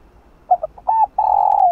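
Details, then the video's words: Decoy song of a spotted dove, 'chiêu 3 hậu' style, played to prompt a caged dove to coo: brief stuttering notes leading into a rounded coo and a long, sustained, slowly falling coo at the end. "Chim Cu gáy kích bổi /Cu gáy mồi cây CHIÊU 3 HẬU kích bổi chưa nổi nhanh gáy"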